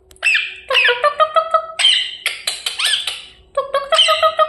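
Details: A pet rose-ringed parakeet gives harsh, squawky chirps in quick bursts of three or four, with raspy screeches between, in a small indoor room while being coaxed to talk.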